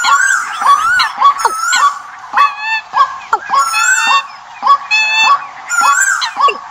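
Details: Migration-season bird decoy, loud ringing whistles in spaced bursts, each bending up then falling steeply, with bright high harmonics and short gaps between groups.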